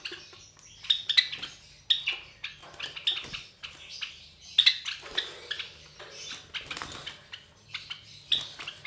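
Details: Three Java sparrow (Padda oryzivora) chicks, about 23 days old, offspring of a white Java sparrow pair, give thin, high chirps and scratchy bursts at an irregular pace, with rustling and shuffling sounds between them.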